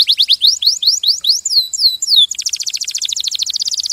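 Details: Canary singing rising and falling whistled notes that then break into a rapid, dense high trill.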